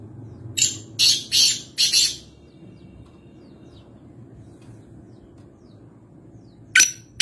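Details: Kala teetar, the black francolin, recorded at Nawabshah, Pakistan, giving a run of four harsh, scratchy notes in quick succession, a few seconds of soft background hum, then two more sharp bursts.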